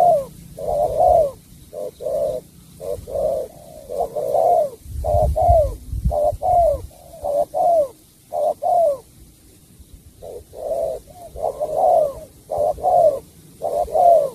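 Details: Extended song of a spotted dove from Cà Mau, rhythmic double coos repeated nearly every second, each ending in a falling slur, with a short pause midway.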